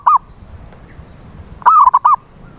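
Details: Zebra dove lure call for prompting a silent dove to sing: a brief cooing note, a pause, then a phrase of a drawn-out coo followed by quick stuttered coos, over a low background hum.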